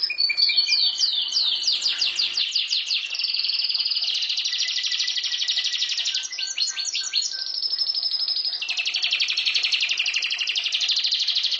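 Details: Singing canary delivering a continuous, loud song of rapid sweeping notes that merges into dense, fast buzzy trills, broken briefly by clipped chirps before another long rolling trill.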